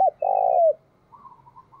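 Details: Cooing from a decoy spotted dove used to lure wild doves. A clipped note runs into one long, loud, low coo that falls at the end, followed by faint, wavering cooing in the background.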